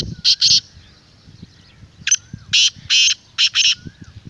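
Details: Black francolin giving its call, played to stir a kept bird and lure wild ones: two scratchy bursts, a pause, then a rasping series of six harsh notes. Soft whistled notes and low rumble in the background.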